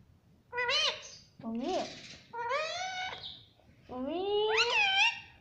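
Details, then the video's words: Pet green parrot saying "mummy": four drawn-out, voiced, speech-like utterances. Some rise then dip, and the last swells long and loud, with brief pauses between them. "Mummy Papa Bolne Wala Tota || Talking Parrot"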